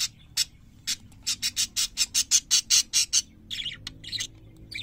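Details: Parakeets singing in a run of loud, evenly spaced chirps, about three per second, followed by a scratchy burst of warbling notes and a final squeak.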